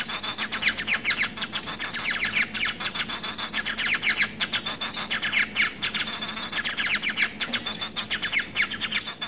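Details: Society finches (domestic Lonchura striata domestica, pet hybrid of White-rumped Munia) chatter in dense, scratchy bursts of high buzzy notes every few seconds, over a faint low hum.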